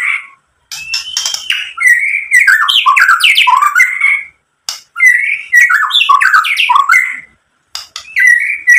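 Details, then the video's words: White-rumped shama lure song to make other shamas answer: rich rolling whistled phrases with squawky, twisting notes and fast clicks, four bursts divided by short silences. "SUARA MURAI BATU memancing EMOSI jadi BUNYI NYAUT GACOR BONGKAR ISIAN | PANCINGAN MURAI"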